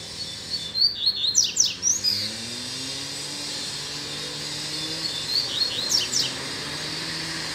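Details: Double-collared seedeater singing after a female excited it: two short bursts of high whistles and falling slurs, separated by a pause, with a passing engine drone below.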